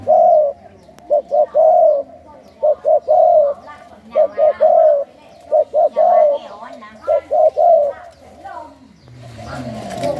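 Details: Captive spotted dove of the Thai 'khu ang' song strain, cooing in a regular rhythm. Groups of two short notes and a long coo repeat about six times. A man's voice begins at the end.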